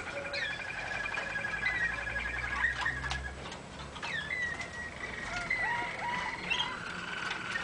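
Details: Waterslager canary song from a training recording for young singers: long pulsed rolls at a steady mid-high pitch, broken by short rising and falling whistled slurs and scattered clicks, with a low background hum.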